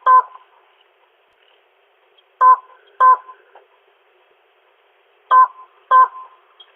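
A slaty-legged crake gives short, harsh, nasal notes in pairs about half a second apart, each pair roughly three seconds after the last, against a quiet background.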